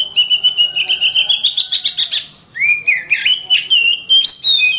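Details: Oriental magpie-robin song with quick repeated whistled notes that climb slightly in pitch, a brief pause, then richer swooping, warbled phrases with dips and upward flicks.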